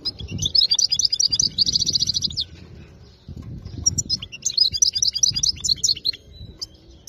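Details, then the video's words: Wild-caught goldfinch with a song described as free of mistakes. Two long phrases of rapid, tinkling twitters with buzzy trills are separated by a short pause. Low rumbling noise sits underneath. "تغريد حسون صيد خلوي منطقة ٨٦ خلي من الأخطاء"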